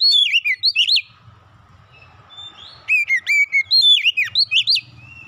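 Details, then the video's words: Magpie-robin song played as a lure to get a house-kept magpie-robin singing: two bursts of loud, sweet whistled notes swooping up and down, split by about two seconds of quiet with a faint low hum. "kicauan indah memancing suara Kacer rumahan ikut gacor"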